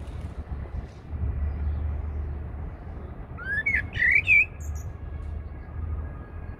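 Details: Eurasian blackbird singing at Heidelberg Castle, Germany: one short phrase of low fluty, rising warbled notes that ends in a high squeaky twitter, set against a steady low rumble like traffic or an engine.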